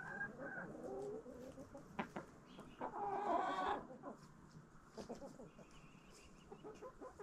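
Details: Backyard flock eating a Halloween jack-o'-lantern pumpkin in autumn; low, repeated clucks give way to a louder, harmonic, drawn-out squawk, followed by irregular short clucks and pecking sounds.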